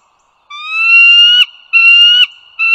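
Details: Bald eagles in northern Virginia near the Dulles Greenway, 16 April 2022 at 08:55: a long rising whistled note swelling in loudness, then a second shorter one and the start of a third. A faint constant high tone runs beneath.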